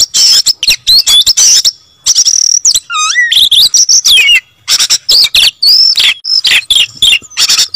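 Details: Oriental magpie-robin singing persistently and loudly: rapid, varied phrases of sharp whistles, chirps and buzzy notes, with upslurred and downslurred whistles and a few lower looping notes, in quick bursts separated by brief pauses.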